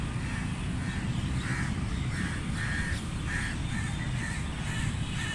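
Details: Feeding crows give a run of rasping caws, about one every half second, with a steady low-frequency hum beneath.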